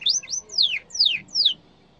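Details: Yellow canary song fragment: five bright, loud notes sweeping down from high pitch in quick succession, each note slurred and spaced about a quarter second apart, then fading to quiet.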